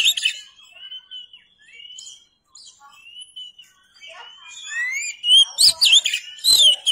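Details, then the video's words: Oriental magpie-robin tutor song for training cagebirds, with long level whistles and short pauses, then a rush of loud, varied rising and falling phrases toward the end. "MASTERAN BURUNG KACER"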